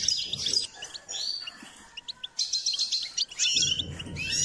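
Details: Goldfinch song in a training context, opening with a busy twittering phrase, then scattered chirps, and ending in another dense twitter burst over low background hum.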